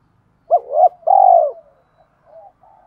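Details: Decoy spotted dove calling to provoke wild doves: two quick hooting coos, then a drawn-out, slightly falling rolled coo, followed by soft fading notes.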